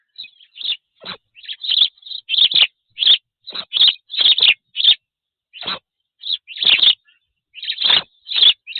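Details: Spanish sparrows chirping at a black stork nest in Tajo Internacional, Spain, captured by a nest camera on 27 June 2024: a rapid, almost continuous run of loud, harsh chirps in uneven bursts, with brief pauses.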